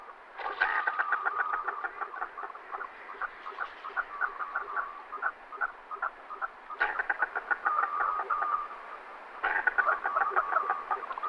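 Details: Common merganser giving harsh, rapid croaking pulses, about two or three each second, in three long bursts separated by brief pauses.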